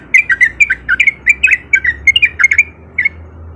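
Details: Sooty-headed bulbul male song serving as a lure so reluctant bulbuls join in: a quick series of bright chirped whistles, several per second, ending with a pause and one last note over a low rumble.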